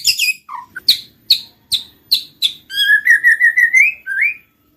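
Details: White-rumped shama, murai batu, lure song to trigger singing and mating: sharp separate clicks about every half second, then a fast run of repeated mid-pitch whistles rising at the end.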